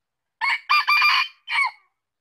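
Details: One full Red junglefowl crow: a short harsh opening, a drawn-out broken rasping middle, and a separate clipped closing note, in a quiet setting.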